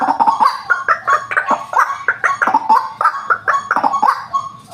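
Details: Brief burst of coarse, grunting croaks from a white-breasted waterhen, a call used to attract birds, delivered in quick uneven pulses.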